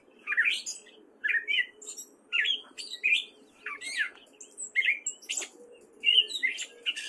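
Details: Spring song of a male gray catbird in Fairfield, Iowa: a steady string of varied mewing, squeaky and chattering phrases, each roughly half a second long with short gaps, a mockingbird-like medley.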